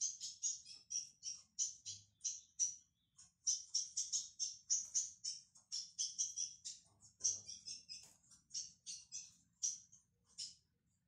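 A young ultramarine grosbeak gives a steady stream of high, thin chips and short twittering notes, two or three a second, without pause.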